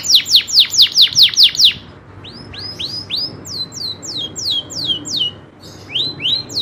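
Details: Local canary from Indonesia delivering a rolling song: a quick burst of steep falling notes, a brief pause, then slower looping upswept and downswept whistles spaced about a third of a second apart.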